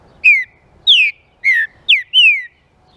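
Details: Green-winged saltator song for warming up other saltators: five bright downslurred whistles delivered quickly, with two sharper steep notes and a long sliding final whistle, against near silence.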